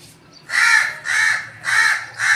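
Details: Three drawn-out, raspy crow caws in quick succession, each about half a second long, loud and close over a faint low hum.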